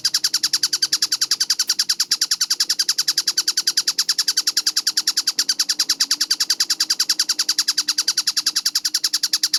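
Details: Tengkek buto kingfisher, recorded 4 August 2026 as a clear, fast masteran: a long series of raspy, chattering notes delivered at a brisk, steady pace of over three per second, with a faint low hum behind.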